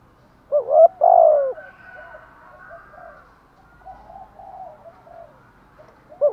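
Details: Spotted dove calling in the thúc gù style: one phrase of a short hoot and a long, loud, gently falling coo, quiet soft cooing afterwards, and the phrase beginning again at the very end.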